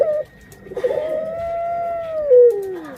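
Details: Pet puter pelung dove hen near egg-laying: a brief coo, then one long, steady, rich-toned coo that slowly bends downward and trails off at its end.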